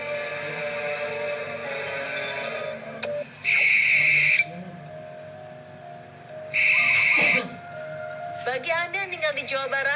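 A barn owl gives two harsh, hissing screeches, each about a second long and three seconds apart, over steady background music and a voice.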